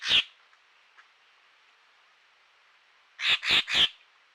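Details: Common green magpie (Cissa chinensis) calling at Rocky Pool, Huai Khayeng Nature Park, in early March 2025 during the dry season, on a camera trap: one harsh, rasping note, then three loud grating notes, distinctive rather than melodious, over a quiet background.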